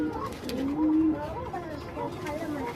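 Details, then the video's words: Fancy pigeons kept on a farm, low soft cooing with drawn-out level notes, heard indoors under steady human speech. "ফেন্সি কবুতর"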